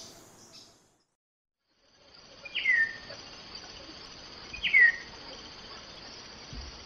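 A common starling gives two clear, slurred whistles that drop in pitch, about two seconds apart, over a steady high insect buzz.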